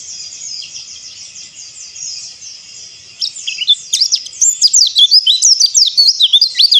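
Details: White-eye song played as therapy to get silent birds singing: a high continuous twittering warble, then sharp rapid zigzag notes growing louder and more staccato.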